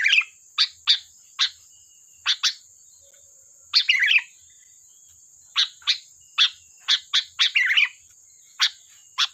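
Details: Sooty-headed bulbul in lively, sharp-toned song used as a trapping lure: a fast series of crisp single chirps interspersed with two brief gurgling warbled phrases, a constant faint high-pitched whine behind.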